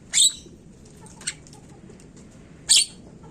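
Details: Javan myna, used as a lure recording to prompt birds to sing: two loud, harsh, hissing bursts about two and a half seconds apart, with a faint short burst between them over a low background hum.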